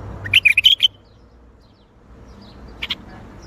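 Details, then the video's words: Bulbul delivering a brisk Baghdadi-style phrase: six rapid, bubbling whistled notes in under a second, then near silence, and a brief pair of softer notes close to the end. "تغريد بلبل طور بغدادي"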